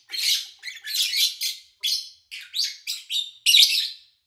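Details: Lovebirds chirping, recorded in August 2019 with little human activity around: a series of separate scratchy, high chirp bursts, each about half a second long, spaced by short pauses.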